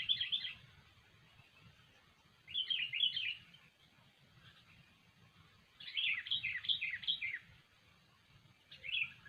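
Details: A sooty-headed bulbul's lively song used as a trapping lure: clusters of rapid bubbly whistled notes, including a longer run of five, spaced a few seconds apart over a steady hiss.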